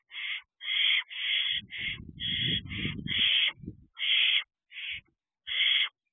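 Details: Barn owl owlets on a perch at a nest box at night, 8:34 pm, June 3, 2023: harsh, noisy hissing screeches, about nine bursts of half a second or less, some running close together, with a low rumbling thump midway.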